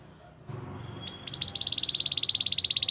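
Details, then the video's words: Canary song: after a faint start with a soft knock, a couple of whistled upslurs lead into a fast, loud, evenly repeated high trill. "Melodies canary bird song"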